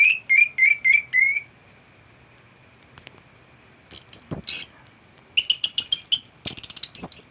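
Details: A thrush, its song full of borrowed material, opens with five or six looping whistled notes, falls quiet, then gives scratchy high squeaks and dense runs of rapid chattering chips.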